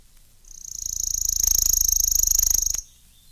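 Worm-eating Warbler giving a dry, rapid, insect-like trill on one high pitch, swelling slightly and lasting about two seconds; faint low rumble beneath.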